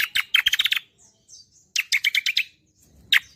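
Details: Song of a green magpie (cucak kombo), kept as a master track for teaching songbirds: a fast burst of sharp chirps, a pause with faint soft notes, another rapid run of chirps, then one final bright note.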